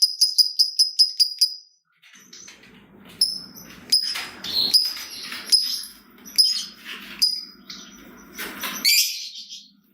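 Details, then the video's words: Lovebird 'ngetik' chatter as a lure for other lovebirds: a fast series of high ticking chirps, then irregular sharp chirps and twitters over a low rustling background. "Pancingan Burung Lovebird Ngetik Bikin Gacor Ngekek Panjang !! Lovebird Lain Langsung Nyaut Gacor"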